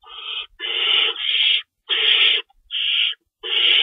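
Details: Feeding time at an owl nest, early morning of 25 March 2012: loud, rough screeches, one long drawn-out burst followed by shorter ones, run close together.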